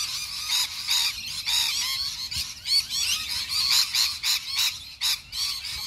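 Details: Wild lorikeets in Melbourne suburbs, Australia, screech and chatter in dense, overlapping bursts, a constant harsh shrill babble roughly every half second from several birds at once.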